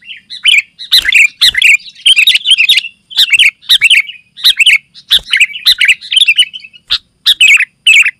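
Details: Sooty-headed bulbul singing steadily to call other bulbuls and serve as a tutor: repeated bubbly, chirping phrases with short gaps, bright and lively throughout, clean background.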